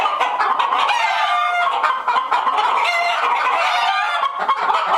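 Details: Disturbed chickens in a coop, a whole flock of hens clucking rapidly, about four clucks a second across the group, mixed with long strained cackling cries.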